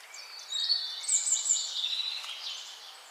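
High, thin twittering chirps from small birds run almost without pause for a few seconds over a soft background hiss.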